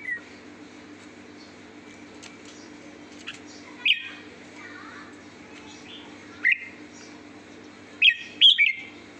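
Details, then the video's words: Red-whiskered bulbul in sweet song: scattered bright whistled notes at irregular gaps, ending in a quick cluster of three loud chirps over a low steady background hum. "chào mào hót giọng hót ngọt lịm"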